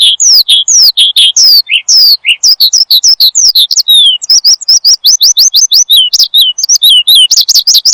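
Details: An Oriental skylark (branjangan), a vigorous singer used as a master song for training, sings a fast, unbroken stream of sharp, high chirps and rising and falling whistles, several notes each second, with no other sounds.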